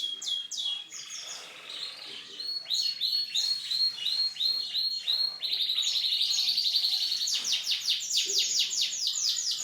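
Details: Pet canary singing a varied song: rapid repeated trills and rolling tours, some high and buzzy, others lower and liquid, shifting phrase type every second or two, loud and continuous throughout.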